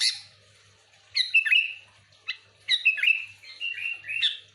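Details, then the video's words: Lively song of a sooty-headed bulbul, played to attract other bulbuls: three quick, gurgling whistled phrases, each dropping slightly at the end, separated by gaps of about a second, with a soft low hum behind. "Suara burung kutilang gacor full Asli,,cocok untuk pikat Kutilang ribut"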